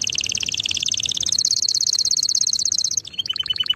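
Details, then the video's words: Canary singing: a fast rapid trill of high notes, about three per second-fraction, shifting pitch upward midway, then breaking into a series of short separate chirps near the end. "singing canary"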